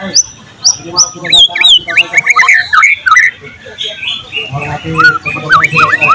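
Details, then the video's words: A singing white-rumped shama, tutor recording dated 12 July 2023, its song packed with borrowed cililin, cucak jenggot, canary and lovebird material: high clipped whistles, then a tumbling run of looping slurred notes and sharp chips. "volume siulan murai batu gacor tembus materi isian"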